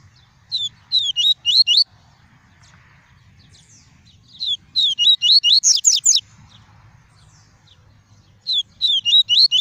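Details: Double-collared seedeater singing the pure 'tuí tuí' song style, used to warm up a kept bird and tutor young ones: three bursts of rapid, high, slurred whistled notes, each about a second long, separated by pauses, over a faint low hum.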